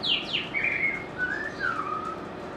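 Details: White-rumped shama song: a clear downward-slurred whistle, then long sweet whistled notes gently rising and falling, rich and fluty, in a quiet setting.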